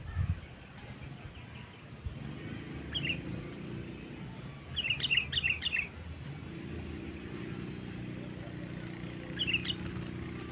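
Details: Sooty-headed bulbul call used as a lure for wild birds: an isolated chirp, then a cluster of rapid bubbly notes, and one more chirp near the end, over steady background hiss.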